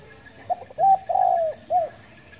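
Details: Spotted dove cooing in the morning, recorded 10 February 2021: a brief soft note, then a firm coo, a long drawn-out slightly falling coo and a short closing coo, all low and mellow, over faint background hiss.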